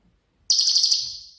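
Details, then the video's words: Cililin, a songbird whose song is described as the 'tembakan' style and used as master audio for training songbirds such as murai batu, cendet, cucak ijo and kacer; a single very high, fast pulsed trill, sharp onset, fading over one second. "BURUNG CILILIN COCOK UNTUK MASTERAN"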